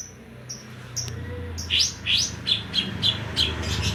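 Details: Greater green leafbird from Banyuwangi, Indonesia, with 'kapas tembak' song filling: after a quiet opening with a few thin high whistles, a series of loud, quick downslurred chirps follows, about three per second, over a faint low hum.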